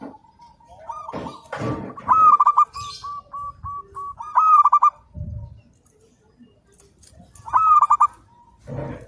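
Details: Local zebra dove in full song, used for training: a soft lead-in coo, then a long chain of evenly spaced, bright rolling coos, repeated in loud stuttered bursts about every three seconds, with faint background thumps and chirps.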